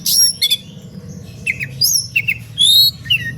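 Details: {'text': 'Oriental magpie-robin in a fired-up singing mood meant to make other magpie-robins sing too; opens with a loud harsh burst, followed by varied slurred whistles and a long bright downward-bending note, low hum behind.'}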